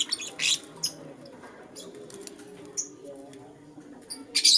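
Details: A lutino lovebird in the morning utters loud, shrill chirps in short bursts, including a brief clear whistled note, spaced irregularly over a quiet background.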